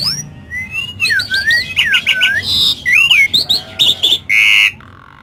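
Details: Javan pied starling singing energetically with lovebird mimicry, a rapid medley of curling whistled slurs, squeaky chirps, harsh buzzy notes and a sustained rasping squawk near the end, packed closely with short pauses.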